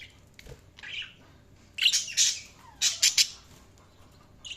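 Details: Budgerigars chirping: bursts of harsh, scratchy high chirps and squawks clustered around the second and third seconds, with a quieter warbled note early on and short silent gaps between.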